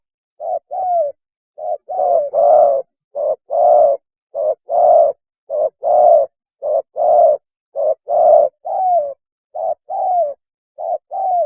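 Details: Spotted dove giving its mating call, a lure recording: a long, steady series of low hollow coos, short and long notes alternating, some long ones gliding down, continuing without break for over ten seconds.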